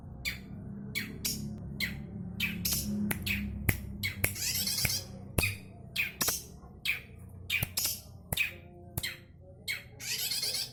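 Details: Long-tailed shrike singing vigorously: sharp high chirps and descending notes in short bursts about every half second, with faint clicks and a low background hum throughout.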